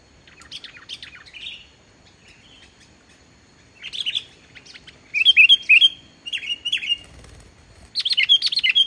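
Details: Sooty-headed bulbul in energetic song with no added mimicry, played to stir silent bulbuls. Scattered chirps build into loud clusters of bright, slurred whistles separated by short pauses.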